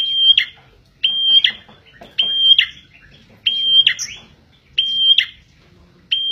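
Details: Bar-winged prinia (prenjak) song, used as a lure for trapping birds: a loud, steady high whistle breaking into a short buzzy downward flourish, repeated about once a second with brief pauses between phrases.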